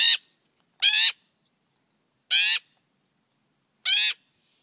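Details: Magpie fledgling, apparently hand raised and tame, calling loudly while seeking attention in the morning: four harsh grating squawks, each about a third of a second long, spaced one to one and a half seconds apart.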